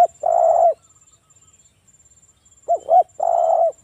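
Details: Local spotted dove singing in the forest-style manner, a recording used as a lure to make other doves answer: mellow low coos, a long rolling coo, then two short rising coos and another rolling coo, with a faint thin high whine throughout.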